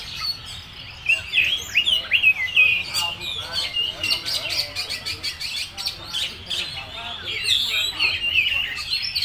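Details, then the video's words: Kacer (oriental magpie-robin) in "full materi" song, rapid varied phrases of slurred whistles, chips and buzzy notes, rising and falling in bursts throughout. "Suara burung KACER full materi"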